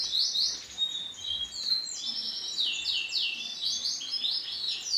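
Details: Bright orange female canary giving dense high chirps and short sweeping notes that overlap into a rapid twittering stream, with brief pauses between bursts; faint background hiss.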